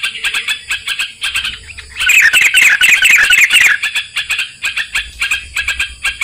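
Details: Sooty-headed bulbul song used to lure birds into a trap: quick repeated chirps broken by a loud rolling, warbled phrase lasting under two seconds before the chirping resumes.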